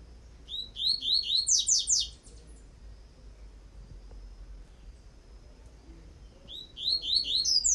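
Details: Tutoring song of a Coleiro tui-tui: a rapid phrase of high, sweeping whistled notes that ends in tight descending strokes. It comes twice, with a quiet humming pause between the phrases.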